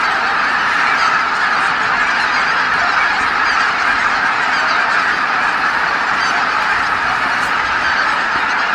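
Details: Dusk at Kabukuri-numa marsh, where tens of thousands of geese fly back calling after a day of feeding; an enveloping, unbroken din of overlapping honks and cackles from the whole flock.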